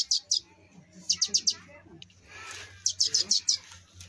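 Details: Sparrow nestlings fallen from their nest give bursts of three to five quick, high, sharp chirps separated by pauses, over a low steady hum and a brief rustle.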